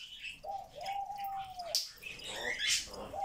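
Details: Pet grey parrot, said to talk non-stop all day, gives a long, steady whistled note lasting over a second, followed by short chirps and squeaky chatter.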